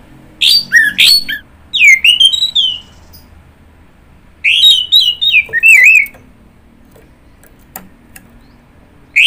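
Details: Orange-headed thrush song in two bursts of varied, rapid whistled and chattering notes that sweep up and down, each burst about a second and a half long, separated by a few seconds of quiet with faint clicks.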